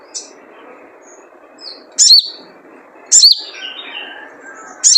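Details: Sogon, a wild sunbird, calling in the typical way used as a lure for kept birds: three loud high chirps falling in pitch with buzzy trailing notes, about one every second, over low hiss.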